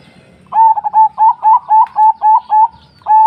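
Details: Zebra dove song: a quick series of soft, clear cooing notes at an even medium pitch, each short and slightly rising, run together in a rapid staccato phrase with a brief pause before the next note; quiet background.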